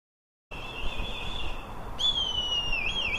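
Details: Red kites (Milvus milvus) calling to each other in woodland: a thin, high whistle that slides gently downward and quavers at the end.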